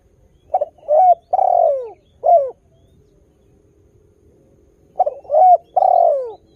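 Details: Spotted dove in lively song meant to draw new doves into calling: low, mellow coos in a four-part phrase with a long descending middle note, given twice with a pause of about two and a half seconds.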